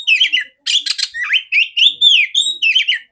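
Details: Clear-voiced female oriental magpie-robin, her song used to train other magpie-robins. Warbled phrases alternate with a brief harsh, scratchy burst, then sliding and rising whistles follow in quick succession, ending on a falling warble.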